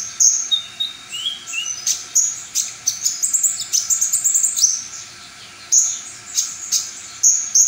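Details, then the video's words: Brown-throated sunbird delivering a full-repertoire ('full materi') song: rapid high-pitched twittering, sharp chirps and short trills tumbling together, with a brief pause in the middle before bright whistled phrases resume. "konin MR Wiwid full materi"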